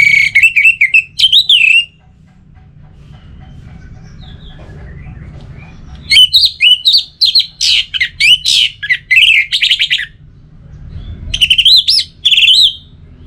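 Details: Orange-headed thrush, song used to make sluggish birds sing again: long runs of rapid varied notes, whistles mixed with harsh chirps, broken by a pause of several seconds.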